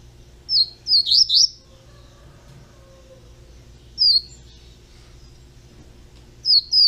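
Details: Double-collared seedeater fledgling kept in captivity gives a rapid cluster of four sharp, high slurred notes, then single brief notes after pauses of a few seconds, with faint low hum behind.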